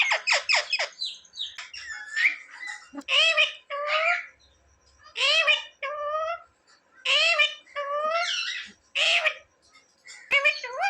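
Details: Talking pet parrot said to say "mummy" and "papa" and ask for bread: a few quick sharp notes, then repeated two-syllable, voice-like phrases with falling and rising pitch.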